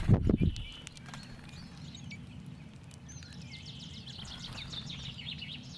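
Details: Brambling giving quick, high chirping calls in loose bursts, busiest in the last seconds. A couple of loud low knocks open the recording over steady low rumble.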